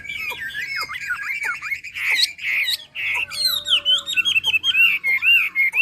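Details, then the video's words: Chinese hwamei from Hà Giang, Vietnam, singing loudly: varied slurred whistles and rough notes, then a fast run of clear rising and falling whistled phrases. "Mi đẹp Hà Giang. #713 bộ đẹp hót hay cực víp tiếng hót thiên nhiên, luyện cho chim hót hay."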